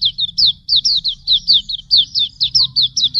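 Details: Pleci auriventer (white-eye) tutor song for training cage birds: a fast run of high, thin, downslurred whistled notes, about fifteen in three seconds, with a faint low hum beneath.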